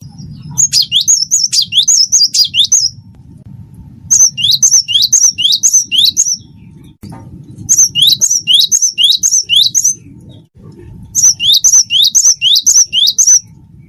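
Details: Cinereous tit of the wingko type singing four long strophes of quick repeated whistled two-note figures, each strophe about two seconds, with steady low background hum between them.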